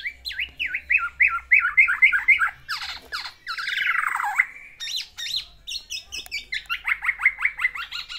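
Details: Courting pet black-naped oriole male pours out its isian for a female: quick downswept chattering notes, then a harsh drawn-out rasp, followed by a renewed fast string of high squeaky notes.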